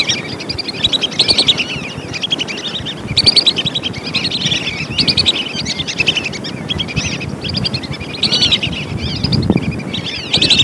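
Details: Lesser whistling duck calls played as a bird-catching lure: continuous series of shrill whistled phrases repeated every second or so, over persistent low rumbling noise.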